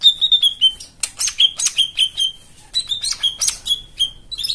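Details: Singing white-eye meant to prompt silent birds to sing: steady run of short whistled notes with quick downward slides, broken by dense bursts of sharp high chips.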